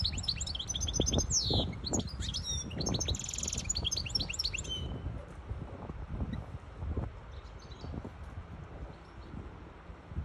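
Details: Hybrid European goldfinch singing to tutor young birds and excite a female for mating: five seconds of fast, high twittering and buzzy trills, then quiet with low thumps and background rumble.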